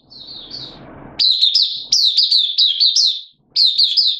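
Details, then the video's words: Hobby oriental white-eye in open song, 8 September 2022, form dipped a little: soft high notes over low hiss, then loud rapid runs of sharp downslurred chirps in two bursts split by a short silence. "Mata Puteh Kitaro Buka Sing"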